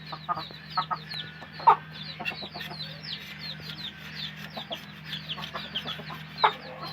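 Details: Chickens cluck softly amid a background of many chirping chicks, over a steady low hum.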